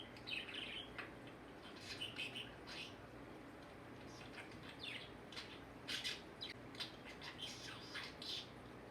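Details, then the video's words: Talkative male budgie kept as a house pet, which chatters even in sleep, producing a busy stream of squeaky, warbling chirps and clicks in irregular clusters, loudest in a dense burst near the end. "Talking budgie"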